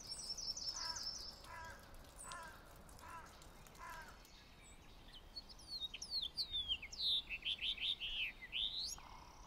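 A House Finch sings a quick, jumbled warble of slurred high notes that rise and fall. Earlier come thin, high repeated notes and faint harsh calls over steady background hiss.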